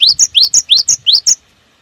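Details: A cinereous tit's fast song used as a lure for other birds: roughly seven quick upswept whistles, each answered by a thin higher note, packed into just over a second, then quiet.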